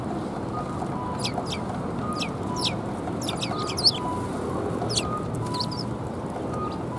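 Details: Sparrows coming to be fed at a Tenmangu shrine on 18 March 2021: short sharp chirps scattered through the clip, a few overlapping, over a steady low hum of background noise.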